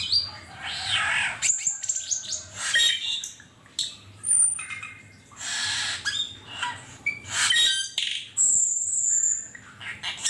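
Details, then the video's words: Cucak keling in the wild with a mix of harsh squawky bursts and thin high whistles, delivered in irregular phrases over a faint low hum. "Burung cucak keling di alam liar"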